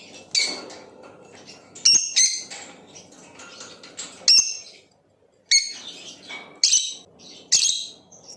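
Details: Blue Opaline lovebird chirping and singing: short, piercing, high chirps in loose irregular bursts, some with a whistled edge, separated by brief pauses, over a faint low hum.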